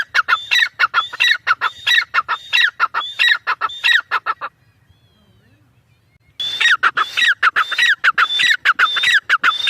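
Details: A partridge (teetar) gives harsh, rhythmic, repeated calls with high whistled inflections. The calling breaks off into nearly two seconds of silence, then resumes as loudly as before.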